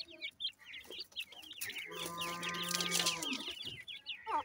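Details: Feeding francolin chicks, known locally as teetar, peep steadily in short high notes that rise and fall, while a steady low hum and a broad rushing noise swell in the middle.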